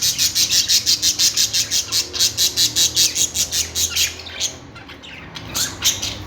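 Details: Budgerigar, parakeet chirping sounds: a fast series of harsh, buzzy squawks repeated nearly three times a second for about four seconds, then scattered louder squawks after a short pause, recorded indoors.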